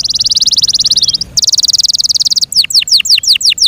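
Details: Yorkshire canary in care giving two long, very rapid, even buzzing trills separated by a short break, then a few sharply descending whistled notes.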